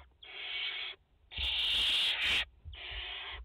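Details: Loud, close rasping hisses from a barn owl nest in France with a mother and four chicks, 30 August 2021: three long breathy screeches, the middle one harshest and over a second long, in quick succession.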